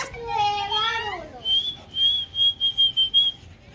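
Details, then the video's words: Pet cockatoo, talking and dancing indoors, utters a drawn-out voice-like phrase that sinks in pitch, then a series of about six even high whistled pulses in quick succession. "Cockatoo Parrot talking and dancing"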